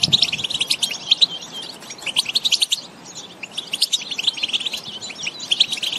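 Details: A wild European goldfinch in the field sings a fast, tinkling, liquid twitter of high notes with a few buzzy trills, running on almost without pause. The song is used to stimulate captive goldfinches to sing.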